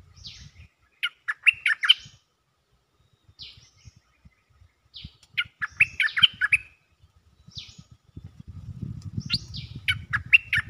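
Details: A Cream-vented bulbul calls for a mate in a repeating loop: three chattering bursts of rapid, jumbled notes, each led by a high slurred note, with low rumbling and tapping growing toward the end.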